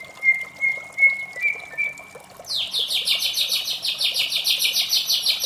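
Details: White-rumped shama in morning song: a thin steady whistle, then a fast run of bright, sweeping notes repeated several times a second, over a continuous hiss.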